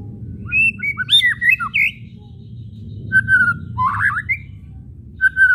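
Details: White-rumped shama whistles and chatter, a kretekan used to make shamas sing; bursts of rapid twisting notes and pure whistles with gaps between, low rumbling hum underneath.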